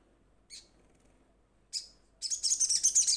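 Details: Young sunbird calling to companions: two separate sharp, high downslurred notes a second apart, followed by a loud, fast, buzzy chattering run.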